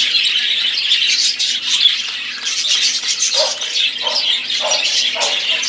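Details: Budgerigars chattering as a flock, high busy warbles and chirps with a few lower, harsher squawks repeated near the end.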